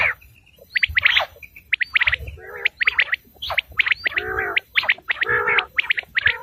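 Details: Quail lure call: quick high chirps and clipped whistles alternating with lower raspy bursts, against a soft low hum in the background.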